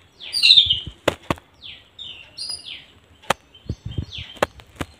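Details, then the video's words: Sparrow chirping: short, bright chirps sliding downward, given in loose bursts with brief pauses, mixed with several sharp dry clicks or taps and faint low rumbling in the background. "sparrow sound"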